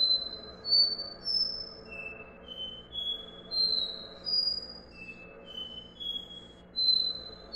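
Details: Copper seedeater in its "dó ré mi" song: sweet whistled tones stepping upward note by note, then restarting lower, with brief pauses between notes and a faint low background hum.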